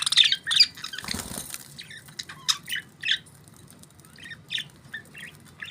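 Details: Pet budgies chirping with short scratchy squawks and buzzy notes in irregular bursts, broken early on by a brief rush of wing flapping.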